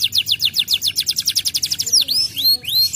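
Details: Canary singing a tutor (masteran) song to trigger other canaries: a brisk string of repeated downward-sliding notes, then a few separate rising-falling arched whistles.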